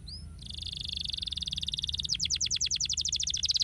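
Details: Canary song used to stimulate lazy canaries into singing: a few faint thin whistles, then a sustained high buzzy trill, breaking into a fast series of sharply descending slurred notes.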